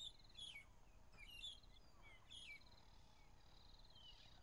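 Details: Magpie-shrike family calling together to mark territory and strengthen bonds, morning drive on 15 April 2011: sliding whistled phrases about once a second, fading into a buzzy trill, over background hiss.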